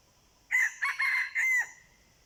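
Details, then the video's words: Wild red junglefowl answering a decoy: one loud crow in four segments, a short opening note then three longer, strained, harsh notes with a ringing tone, ending abruptly; quiet background. "ต่อไก่ป่า ไก่เถื่อน"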